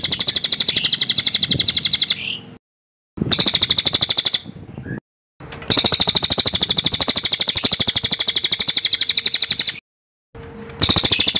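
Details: Cililin song used as training material for white-rumped shamas, described as a dense, loud, ringing roll: a high, fast trill of even pulses in long bursts separated by short silences, with faint low background pulsing.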